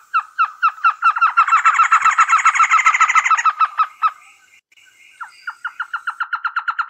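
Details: A series of clipped, hooked notes from a trogon, rising into a dense chattering burst with a high whistle overhead. After a short pause a quicker run of repeated notes starts again.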